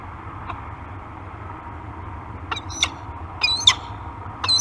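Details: Peregrine falcon pair mating at a nest cam on 4 March 2021 gives harsh, scratchy chips in short bursts over the last two seconds, growing louder, above a steady low hum.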